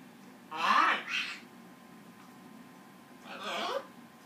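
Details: Green-winged macaw, a pet singing indoors in a duet with a Goffin cockatoo: two harsh, raspy squawks in quick succession, a pause of about two seconds, then a third, longer grating squawk.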